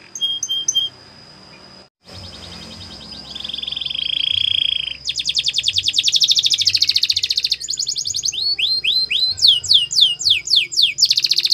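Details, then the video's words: Canary training song beginning with a few short high notes and a held tone, then a low buzzy roll, rapid trills, and a closing run of descending sweeping notes. "The Best Canary Sounds !! Canary Training"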